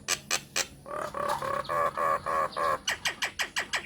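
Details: Myna lure recording meant to make other mynas answer: a few harsh broadband notes, then a run of nasal, buzzy mid-pitched calls, then quick falling chips repeated about three per second.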